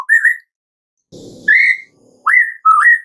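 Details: Afternoon 'tembakan' song of a white-rumped shama, played to coax another shama into singing: loud, clear upslurred whistles separated by pauses, with a brief low rough noise between them.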